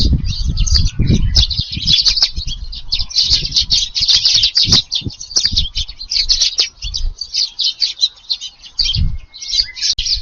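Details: A packed flock of Eurasian tree sparrows feeding in a garden in the evening, 6 July, chatters in continuous bright cheeps, with bursts of low rumbling and fluttering noise throughout.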